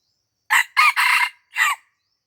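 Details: Wild junglefowl crowing at Lamteuba, Aceh, where it was being lured near people's houses. One sharp crow of four parts: a brief first syllable, then a drawn-out double phrase, and a pause before a last hoarse note. No other sound.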